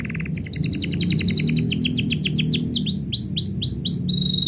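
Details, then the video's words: Domestic canary singing as its owner is about to leave: rapid rolled trills and repeated whistled notes, shifting into a series of falling sweeps, then a steady high whistle, over a low background hum. "kenari bunyi ketika yang punya mau pergi"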